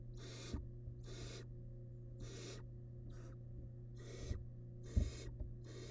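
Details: Wild barn owl nestling with large rabbit remains in a monitored nest box. Seven harsh, breathy hisses at about one-second intervals, one weaker, with a low steady hum and a sharp knock near the end.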